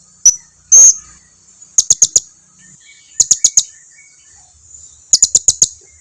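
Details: Blue-crowned hanging parrot lure call to get other birds answering: two loud opening notes, then three quick clusters of four to five piercing high chips about one and a half seconds apart, with a constant thin whine behind.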